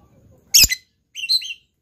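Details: A lovebird gives a sharp, explosive note, then after a short pause a brief burst of shrill, squeaky chirps that rise and fall.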